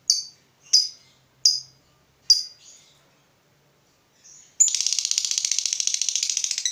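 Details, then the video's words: Fighter lovebird provoked by an opponent: four clipped shrill chirps spaced under a second apart, a pause, then a sudden fast continuous high chatter to the end. "Terpancing Emosi Begitu Lihat Lawan, Lovebird Fighter ini Langsung Narung"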